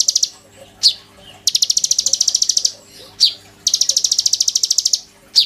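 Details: Oriental magpie-robin in loud song full of imitations, used as a lure and master for a young sunbird: long buzzy rattling trills broken by single sharp downslurred notes, repeated several times.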